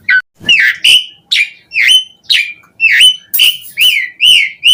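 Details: Asian pied starling song meant to draw other starlings into singing: loud whistled notes repeated a bit more than twice a second, each dipping and then rising or leveling off.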